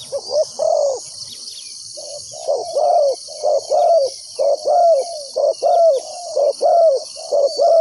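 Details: Decoy spotted dove used to call in wild doves for trapping: a lengthy series of paired low coos, short note then longer falling note, coming faster later on, with persistent high insect whine.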